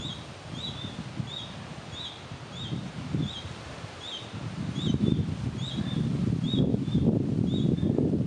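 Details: A juvenile red-breasted flycatcher (Ficedula parva) in the Chiemgau repeats a thin, high, slightly downslurred call about every half second, over low rustling and wind noise that grows louder.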